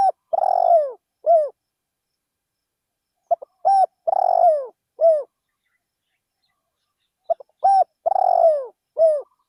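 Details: Spotted dove used as a decoy in a rice field, lured to attract wild doves. Three phrases of its cooing song, each with short soft notes leading into a long, slightly falling coo followed by a brief final note, separated by quiet pauses.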